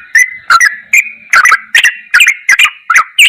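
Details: Yellow-vented bulbul tutor song in ropelan goklikan style: spaced, clicky chirps mixed with slurred whistles, roughly eight bursts in three seconds, quiet background.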